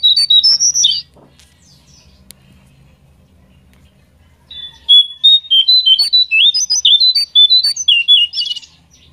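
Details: Lure song of a pied triller to get a bird singing: an opening burst of sharp whistled notes, about three seconds of quiet, then a long, fast series of varied chirping whistles.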